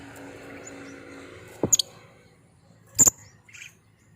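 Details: Lovebird lure sound: after a quiet low hum, a quick double squawk, then a louder shrill burst a second later and a brief softer chirp.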